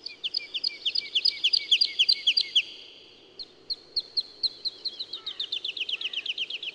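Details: Woodlark (Lullula arborea), song.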